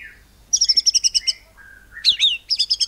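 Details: Caged white-rumped shama singing a cungkok cililin-style song, used to provoke other birds into singing: a run of about ten sharp, evenly spaced high chips, a level mid-pitched whistle, then more bright rapid notes.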